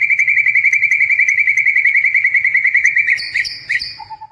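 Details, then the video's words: Caged blorok (patchy white) white-rumped shama kept as a pet, singing in full voice: a fast, steady run of sharp chirps repeated about three or four times a second, breaking into higher whistled phrases and ending on a lower, level whistle. "FULL GACOR - MURAI BATU BLOROK"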